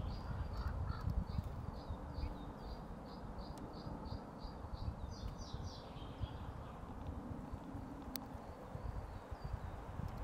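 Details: Female brambling met in May near the Zvenigorod Biological Station, Moscow region, gives a quick run of short, high chipping notes, about three a second, then falls quiet, over a steady low rumble.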